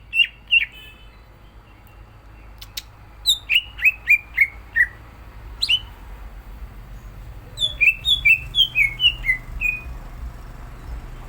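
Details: Greater green leafbird in full, lively song, said to be an often-winning contest bird ready for competition; clear downslurred whistled notes near the upper-middle range, given in short runs of three to five with pauses between.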